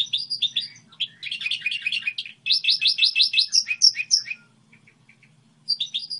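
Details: A goldfinch hybrid gives a model song: a bright, fast twittering of high chirps and liquid trills, with a rapid run of about eight rasping notes, over a faint low hum.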